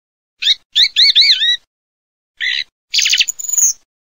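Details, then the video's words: Song thrush singing: a short high note, then a run of three quick looping slurred whistles, a pause, a buzzy burst and a final harsh rattling trill, all clean against silence. "Kελαηδημα Tσιχλας 3 /song turdus philomelos 3"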